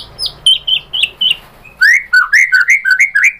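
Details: White-rumped shama giving lure song to prompt other shamas to respond: evenly spaced short whistles, then a quick rhythmic string of looping up-and-down whistled notes.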